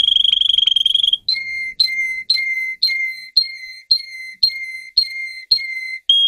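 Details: Russian canary, a singing-bred bird, performing a training song for teaching other canaries: a fast high rolling trill, then a string of clear whistled notes at a steady lower pitch, each about half a second, repeated nine times.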